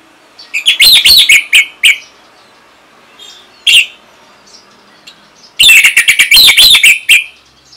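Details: Singing orange-headed thrush, used to train other birds to sing: two loud bursts of fast chattering notes and bright whistles, separated by a single short phrase and quieter gaps.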